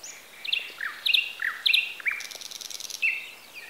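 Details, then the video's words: Wild birdsong in Bessarabia, Ukraine, recorded on a Zoom H4n: sharp high chirps and short descending whistled notes in irregular bursts, with a faint buzzy insect-like trill midway. "Sounds of nature. Birds. Звуки природы.Птицы"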